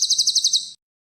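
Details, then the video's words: Cililin song used as a masteran tutor recording for champion birds: a high, rapid trill of sharp chirping notes repeating steadily for under a second, with no other sounds. "CILILN MASTERAN BURUNG JUARA"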